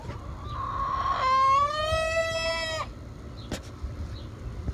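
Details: Young hen that has not yet laid, the oldest and likely dominant hen in a flock with no rooster, giving an odd sound: one drawn-out, harmonically rich squawk of about two seconds, rising slightly then held steady, followed by a sharp click.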